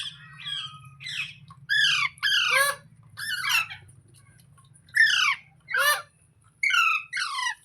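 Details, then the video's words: Talking green parrot uttering separate raspy squawks roughly once a second, each a harsh falling stroke, some with a short high squeak, above a constant low hum. "Green Parrot Talking | Funny Parrot Sounds Videos | मिट्ठू की आवाज़ | तोते की आवाज़"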